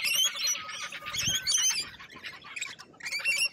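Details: Australian lorikeets squabbling: raspy screeches and sharp squeals in a continuous tangle, loudest at the start and again near the end.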